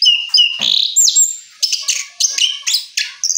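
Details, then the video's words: An orange-headed thrush, after moulting, sings a fast, varied rolling run of bright whistles and sharp chattering notes in quick bursts, with no other sounds. "Anis Kembang Ngeroll Setelah Mabung"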